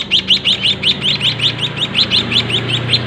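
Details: Captive white-headed munia chicks, bred in a small cage and fed by their own parent, beg with high, thin chirps repeated about five times a second over a low steady hum.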